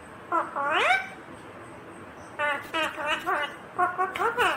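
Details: Green Indian ringneck parrot talking in mimicked speech: a rising harmonic phrase, a pause, then a run of quick choppy syllables and a final wavering phrase, indoors with little background noise.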